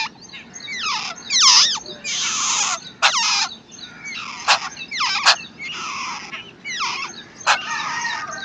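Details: Wild babbler chicks beg as the parent feeds and protects them, giving a steady series of harsh squeals, buzzy bursts and sharp clicks.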